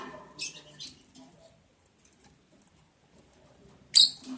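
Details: Lovebirds during mating on day 11 of breeding, July 11, 2022: two harsh, high-pitched screechy bursts, one near the start and a sharper one near the end, separated by near-silence.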